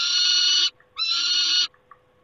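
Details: Harsh, grating wails from a peregrine falcon at the nest on 28 August 2021. Two drawn-out screams, each under a second, are separated by a brief pause, with a faint hum behind.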